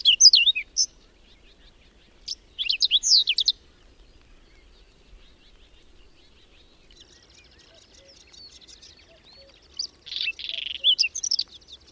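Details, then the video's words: Whinchat sings through snow, wind and sudden cold in May at Domzheritsy, Berezinsky Biosphere Reserve. Brief scratchy high phrases arrive at intervals of several seconds, with faint distant twittering in the gaps. "Луговой чекан в майскую вьюгу"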